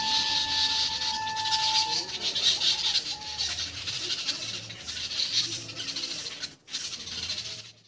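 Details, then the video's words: Babblers, described as angry, keep up a harsh, scratchy chatter of overlapping calls, with a steady tonal hum underneath during the first couple of seconds. "babbler birds sound"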